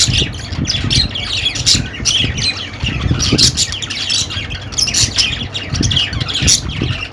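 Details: Dense budgerigar chirping and squawking, bursts of scratchy warbling chatter pulsing in loudness, accompanied by low rumbling background noise.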